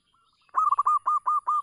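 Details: Zebra dove, local type, calling as a lure for silent doves: after a faint soft note, five loud, evenly spaced short cooing notes follow in quick succession.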